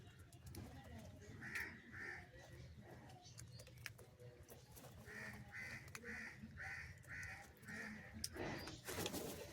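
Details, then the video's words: Crow calling for food while being fed, a short run of harsh, evenly spaced caws midway through, with a separate earlier pair, over rustling and low background noise. "Different Crow Sounds and Calling for Cheese"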